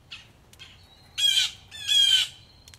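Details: Angry blue jays at a Missouri farmhouse porch give two loud, harsh, nasal jeers about half a second apart, after two fainter calls, over a soft patter of rain dripping from a gutter.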